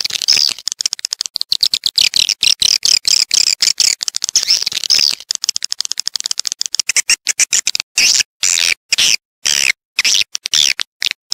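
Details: Swiftlet calls meant to attract swiftlets to a bird house: continuous high-pitched twittering chatter mixed with rapid clicks, shifting into regularly spaced buzzy chirps near the end.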